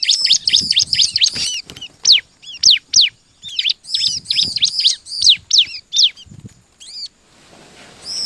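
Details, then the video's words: Bar-winged prinia (ciblek) lure song to set other birds singing: rapid, dense volleys of high, sharp chirps and arched notes, loud and overlapping, thinning to a few calls and soft hiss near the end. "KUMPULAN suara ciblek gacor DIJAMIN LANGSUNG BUNYI DAN GACOR|| PANCINGAN CIBLEK"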